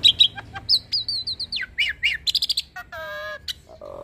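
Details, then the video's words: Full, lively hybrid starling song for tutoring songbirds such as Javan pied starlings: rapid repeated whistled slurs, chattering clicks, a stacked nasal drawn-out note and a low falling whistle to finish. "Jalak Silangan gacor Full Isian Pas Untuk Masteran Jalak Suren dan Burung Kicau lainnya"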